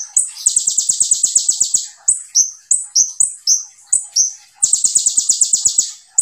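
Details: Olive-backed sunbird singing a full, dense 'tembakan' song, used as a lure or master to get other birds singing: very high, rapid buzzy trills alternating with short whistled, slurred phrases, over a steady background of dry clicks.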